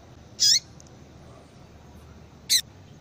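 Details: Female Yellow-bellied seedeater calling, a call used to stimulate males to sing: two short, sharp, high calls about two seconds apart, each a bright buzzy burst with a lower tail, over quiet background hiss.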